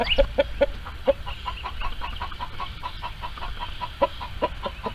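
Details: Hens in a farm barnyard coop, calling while trying to lay eggs: a run of short, evenly spaced clucks, sharper at the start and near the end, over a low rumbling background.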